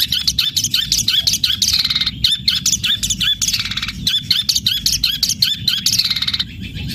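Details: Long-tailed shrike in full, vigorous song built on house-sparrow-like material in a fighting style: dense, continuous runs of high, scratchy chirps and twittering phrases, barely pausing, with quick varied notes throughout.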